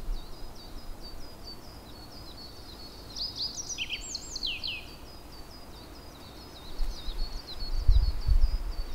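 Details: Japanese yellow bunting: a single high, thin phrase of sharp descending whistled notes midway through, over steady rapid high chirping and low rumbling background noise.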